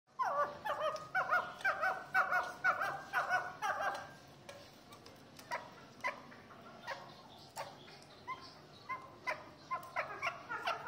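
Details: Fighting chukar partridges calling in harsh, chattering bursts, a rapid run of clipped notes repeated about twice a second for four seconds, then scattered sharper clucks over a noisy background.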